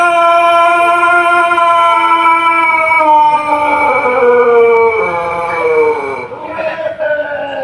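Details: Pelung chicken, an ornamental breed from Cianjur, West Java, Indonesia, giving a long, melodious, rhythmic crow: a sustained rich harmonic tone held for several seconds, then wavering and slowly falling in pitch before trailing off.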